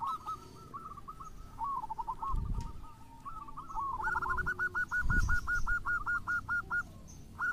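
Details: Local and crossbred zebra doves used as a song lure for other doves: jumbled coo phrases from several birds, then one dove gives a long even train of short hooked notes; low thuds in the background.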